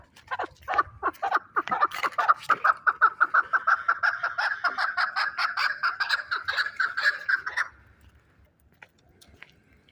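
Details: Chukar partridge kept as a fighting bird in Shahritus, Tajikistan: a long run of rapid, harsh chuckling notes, about three per second, building into a steady repeated chatter for over seven seconds, then stopping.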